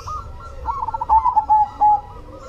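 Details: Zebra dove of the cemani type, a bird singing actively: a short, soft, bubbling cooing trill of rapid notes near one pitch, ending on a slightly lower drawn-out coo, over a faint low rumble.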